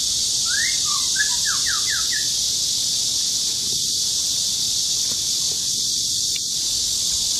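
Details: White-rumped shama male in song at Luodishan Nature Park in Mituo, Kaohsiung, Taiwan, June 2018: one brief burst of rapid falling whistles, then only a constant shrill insect hum and faint rustles.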